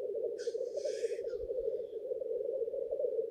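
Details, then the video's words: Male Black Grouse at a lek, displaying to females at dawn in spring: a steady, low bubbling coo runs throughout, broken early by a harsh, sneezing hiss lasting about a second. "Black grouse lekking behaviour"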